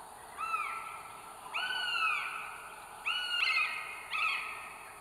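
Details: Northern goshawk female at the nest with three eggs, North Estonia, 30 April 2022, live camera: four repeated nasal wailing calls, each dipping slightly, the last ones shorter and closer together, over light hiss.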